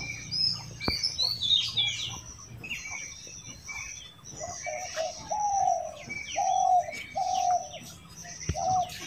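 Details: Ringneck parrot eating an apple while vocalizing: scattered high squeaks and chirps, then a run of repeated short nasal notes, with faint clicks of eating.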